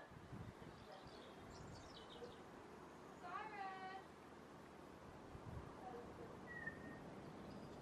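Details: A Crested Caracara at Gentleshaw Wildlife Centre on 12 January 2023 gives one harsh, wavering, nasal call lasting under a second; faint high chirps from small birds and a low background rumble.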